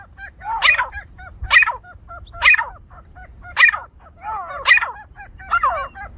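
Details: Grey francolin calling in a village setting: six loud, scratchy, rising calls spaced roughly one second apart, with faint repeated chirps between them and a low background hum.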